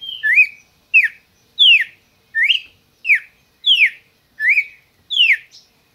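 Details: Captive red-crested cardinal, Brazil, licensed breeder's bird, singing a regular sequence of bright whistled notes, rising slurs trading with falling ones, around one and a half per second, against silence.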